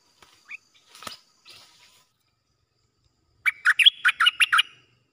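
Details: Red-whiskered bulbul kept in a cage and singing against wild birds that approach to fight; a few scattered soft notes, then a loud rapid burst of about eight bright chirped notes.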